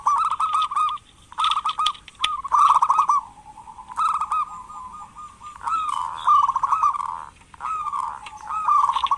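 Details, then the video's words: Lively local zebra dove calling as a prompt for lazy doves, giving a long run of bubbling coo phrases. Each phrase holds rapid pulsed notes and ends in a rolling trill, with brief gaps between. "Perkutut lokal gacor pancingan perkutut malas agar bunyi"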